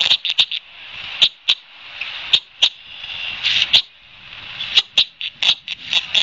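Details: Red-winged Blackbird at Long Beach Island, NJ, 2:18 p.m. on 23 June 2021, gives sharp, dry check notes about one a second, often in quick pairs, over a steady high hiss while territorially harassing ospreys with two young on their nest.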